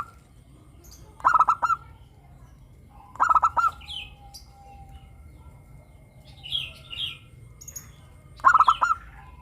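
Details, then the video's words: Local zebra dove singing in a crystal-clear voice as a lure to start doves singing. Three stuttering pulsed coo phrases are heard, with a longer gap before the last one, and other birds chirp high in the pause. "perkutut lokal gacor suara kristal - pancingan perkutut agar bunyi"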